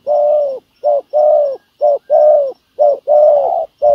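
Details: Spotted dove decoy used to trap wild doves on the ground, cooing in paired notes: a short low coo followed by a longer, slightly falling one, pairs repeating roughly every second, with a faint high hiss behind.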